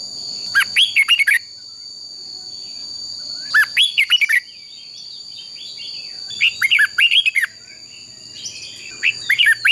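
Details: Red-whiskered bulbul, a bird trained to sing a competitive fighting song, gives short burry phrases of four or five quick warbled notes, repeated about every three seconds over a faint steady hum and high tones.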